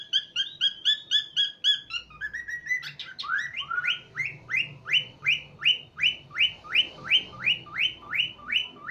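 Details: An 8-month-old pet cockatiel, happy and playing, sings a run of bright, rapid whistled notes, then steady repeated rising chirps.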